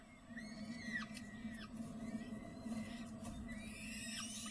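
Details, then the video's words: Feeding-time calls of a peregrine falcon in spring: a series of sharp, high whistled notes sliding steeply downward, spaced about half a second apart, with a constant low hum underneath. "Slechtvalk Beleef de Lente14 - Feeding"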